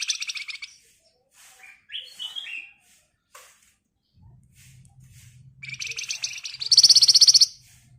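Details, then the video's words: Javan white-eye lure song for training songbirds: a short buzzy burst, a few squeaky rising notes, then a longer, very high, rapid rattling trill near the end over a low hum. "BURUNG FLAMBOYAN GACOR EMOSI NGEBREN RAPAT Cocok buat Pancingan agar cepat Nyaut"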